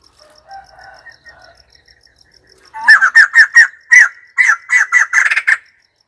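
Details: White-crested laughingthrush: faint soft warbles precede a long, loud series of harsh, laughing notes, about a dozen in under three seconds, over a quiet regular ticking.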